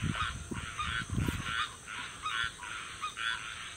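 A young barred owl gives a run of short, raspy hissing rasps, about two per second, calling for its mother, with low rumbling thumps and background noise.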